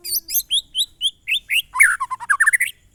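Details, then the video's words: White-rumped shama singing its monotonous 'glondong' style song: a quick run of short, sharp whistled notes around two to four rising steps, then a lower, dense phrase of rapid descending warbled notes, about two notes per second early on. "suara burung murai batu "MONOTON"alias GLONDONG"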